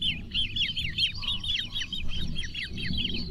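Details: Great crested grebe calling: a rapid run of high, arched, slurred notes, about four or five a second, over a low rumbling background.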